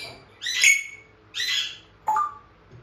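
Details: Pet African grey parrot imitating human speech indoors: three short voice-like syllables, the last with a rising then level tone, in a quiet room.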